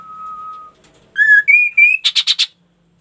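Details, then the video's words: Ashy tailorbird song opening on a long level whistle, then three bright harmonic notes climbing in pitch and a quick run of four buzzy, rasping pulses. Quiet surroundings. "KASO KASO GACOR BRO"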